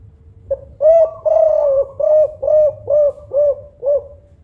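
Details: Loud-voiced local spotted dove of the Songgo Ratu kuk 5 type, used as a lure for other doves: a short opening note, then a steady run of about seven rounded, hollow coos, roughly two per second, over quiet background.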